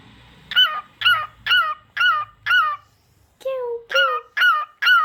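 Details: A pet cockatiel indoors gives a series of bright, harmonic chirped whistles, about two per second, pausing briefly before lower mellow whistles and more chirps; faint low background hum.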